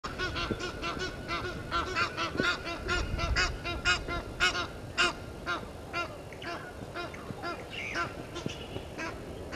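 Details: Egyptian geese in a dispute with intruder geese at Gowrie dam waterhole, Djuma Game Reserve, Sabi Sand, South Africa, at 17:08 on 10/04/21; dense bursts of hoarse, harmonic honks overlap in rapid, uneven succession throughout.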